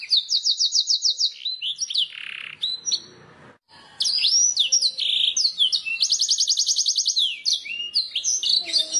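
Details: Canary master song for prompting birds to sing: high rattling trill, a buzzy lower phrase, a pause of about a second, then varied sweeping whistles and another long rapid trill.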